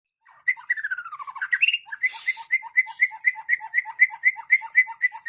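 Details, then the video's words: White-rumped shama (murai batu) fighter song used as a master for training other birds: a falling whistled run, then a rapid rhythmic series of paired sharp notes repeated about four times per second, with one brief harsh buzz. "BURUNG MURAI BATU ISTIMEWA FIGHTER DAN SOBEK SOBAK BOS"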